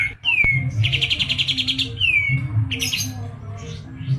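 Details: Caged white-eye from Medan singing a fast, energetic rolling song: clear whistled notes sliding down, rapid buzzy trills repeated in bursts, over a low steady background hum.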